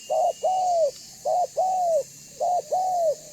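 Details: Spotted dove of the banggo type calling as a lure so other doves respond and approach: three evenly spaced phrases, each a short note then a longer arched coo, about one phrase per second.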